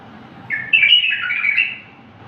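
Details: Wild-style bulbul song used to tutor bulbuls, described as pure and error-free: a single warbling phrase of rapid whistled notes that rise, dip and level out over roughly one second against a faint low hum.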